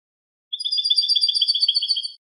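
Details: European goldfinch in clean song, a steady run of rapid, evenly repeated high tinkling notes lasting almost two seconds, bright and metallic, with nothing else heard.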